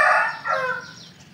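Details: Rooster crow, loud and raucous from the start, breaking into a second drawn-out phrase that fades gradually toward the end.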